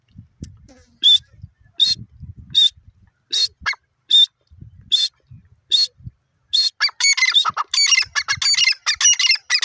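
A francolin gives loud, harsh, ringing notes about once a second, then breaks into a faster, overlapping burst of scratchy calls.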